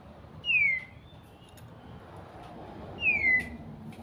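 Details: White-rumped shama giving clear, loud whistled notes, each a smooth downward slide, repeated twice about two and a half seconds apart over a quiet background hiss.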